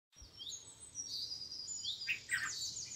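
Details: Red-vented bulbul feeding its chicks in a home garden: a thin high whistled wash with short sweeping notes, then louder clustered chirps near the end. Soft low background rumble.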